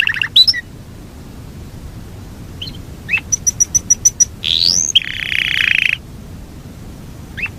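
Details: A Yorkshire canary sings a long rolling song. Scattered short notes and a series of sharp high pips lead to a rising whistle that runs into a buzzy roll, with quiet gaps between phrases.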